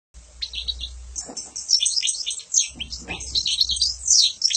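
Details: European goldfinch singing a rapid, tinkling twitter of high chirps and liquid trills, building after a quiet start into dense, continuous warbling with faint low rumbling underneath.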